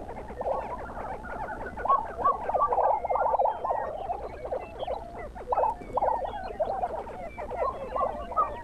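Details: Lesser prairie chickens on a ranch in Buffalo, Oklahoma, at an early-morning lek; a dense chorus of bubbling, gobbling notes repeated rapidly, with many birds overlapping.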